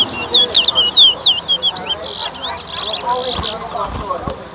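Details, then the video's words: Large-billed seed-finch (towa towa) in a whistling competition at Better Hope, Guyana, opening with a loud burst of quick, sweet, slurred whistles in a fast run, then fading under crowd voices and clatter. "TOWA TOWA BIRD WHISTLING COMPETITION"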